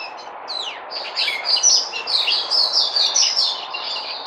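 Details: White-eye (Puteh) recorded 03082020 singing a quick, jumbled, high warble of slurred whistles and chatters, building steadily louder through the phrase.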